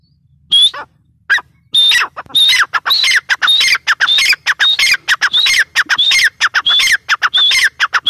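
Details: A female francolin (teetar) gives loud, harsh, rising notes in rapid, uneven runs, sometimes overlapping, with no other clear sounds.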